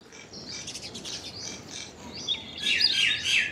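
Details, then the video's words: Common myna giving an unusual call: scratchy, chattering notes, then a louder burst of harsh, rapid chatter near the end over a faint background hiss. "Common Myna Unusual Call! Common Myna Song! Common Myna Sound! Common Mynah Call! Song! Sound!"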